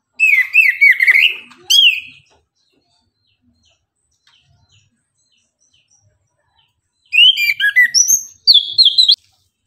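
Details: Orange-headed thrush singing in the morning: a two-second burst of rapid, rich chattering whistles, about five seconds of silence, then another lively phrase of mixed slurred and high ringing notes.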